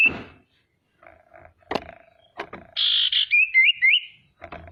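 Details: Female common iora (sirtu) used to provoke other ioras into song; after some clattering and knocks, a harsh buzzy burst is followed by three quick rising whistled notes.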